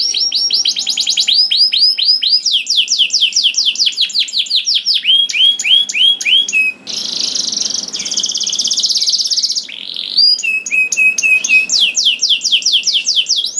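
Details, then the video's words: Extended canary song to encourage other canaries to sing: varied tours of repeated falling whistles, rapid trills and a loud buzzy roll, delivered almost without pause. "MASTERAN KENARI GACOR !! DENGAR SUARA KENARI DI JAMIN KENARI NYAUT SEKETIKA"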